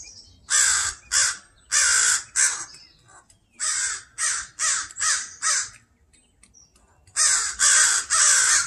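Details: Loud, continuous scolding caws from a pair of crows defending their fledgling against a person in a yard; rapid bursts of harsh caws in three groups separated by brief pauses.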